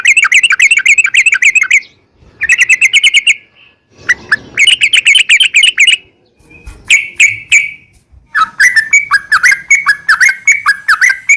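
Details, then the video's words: Sooty-headed bulbul in a long rapid-fire lure song for provoking other bulbuls: several quick bursts of repeated downslurred notes, some short, ending with an accelerating string of varied whistled notes. "trucukan gacor ROPEL PANJANG buat pancingan trucukan agar bunyi jadikan burung trucuk gacor NYAUT"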